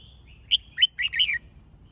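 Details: Training song of a red-whiskered bulbul for fighting-song contests: one crisp whistled note followed by a rapid, bubbling string of three or four warbled notes, ending with a falling slur, in a quiet background.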